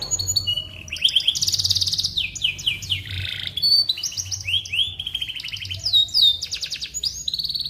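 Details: Canary, singing continuously as a training song for white-rumped shamas; varied phrases of fast trills, harsh rattles and swooping whistled notes follow one another without a break.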